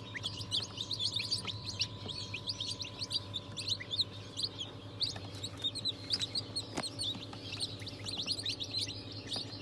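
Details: Newly hatched chicks of several breeds, including Ayam Cemani, Sultan, Cochin, İspenç and Wyandotte, recorded on 22 January 2023; a dense chorus of many high, short peeping chirps overlapping continuously, over a steady low hum.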